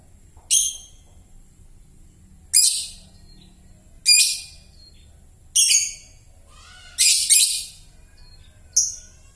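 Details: Young lovebird with a cracked, still hoarse voice: a series of six short, harsh, rasping screeches about every one and a half seconds, some followed by brief scratchy trailing notes.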